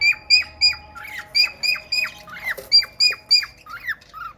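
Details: Courting a red-eyed female budgie, the male cockatiel repeats bright, sharply falling whistled notes at about three per second. A short scratchy rustle comes near the middle, and the run ends in a lower, softer whistle.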